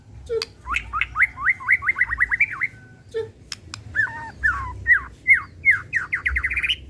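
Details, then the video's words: White-rumped shama kept for song contests in lively song: quick series of downslurred whistles repeated in bursts, with a few clicks and low notes between phrases. "Suara Asli Tanpa Repeat! Pancingan Murai Pastol Emosi & Bongkar Isian"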